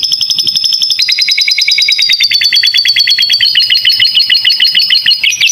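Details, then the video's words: Canary song from a master track filled with lovebird-style phrases for young birds: long sustained rolling trill slowly drifting lower in pitch, then shifting to a choppier, higher rapid trill. "Masteran kenari isian lovebird"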